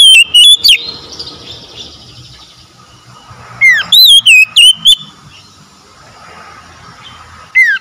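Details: Oriental magpie-robin song used as therapy to get stressed, silent birds singing again: a falling whistle then a run of loud, clipped, wavering whistled notes, given twice with a pause between, over faint background hum.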